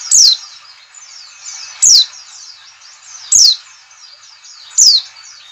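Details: "Ngalas" white-eye call meant to lure birds into singing: four evenly repeated, sharp falling whistles roughly every one and a half seconds above a continuous sheet of faint high-pitched chirps.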